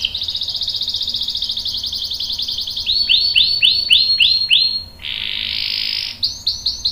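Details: Canary singing a long roll for training young and adult canaries: steady rapid trill, then a string of swooping notes, a sustained buzzy tone, and more swoops.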